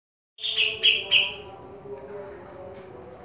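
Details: Caged grey-cheeked bulbul, described as a fierce singer, gives three loud, bright, slurred whistles in quick succession, then trails off, over a steady low background hum.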